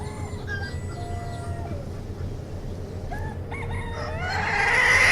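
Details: Mixed flock of chickens giving long level crow-like notes and scattered short clucks over constant low rumbling noise. The passage ends in a loud, harsh, rising burst.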